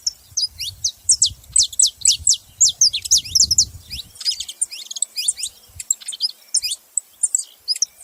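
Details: A flock of saffron finches chattering together, with steady bursts of sharp, high downslurred chirps, dense at first and then looser and overlapping, over a light low rumble.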